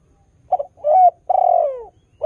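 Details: Spotted dove in full song, used to prompt new doves to call along: a stuttered double coo, a rising coo, then a long coo sliding downward, with another phrase starting at the end; quiet background.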